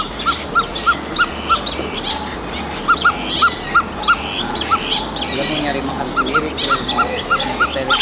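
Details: Young (teenage) Coppersmith Barbet being released into an aviary in Indonesia, giving hollow, metallic 'tuk' notes, about three a second, in short runs separated by pauses, over a steady background hiss.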